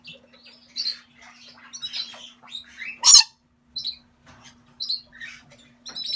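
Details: Pair of lutino Galahs kept in captivity. Scattered short chirps, squeaks and rasping notes, with one loud sharp click in the middle and a faint steady hum underneath.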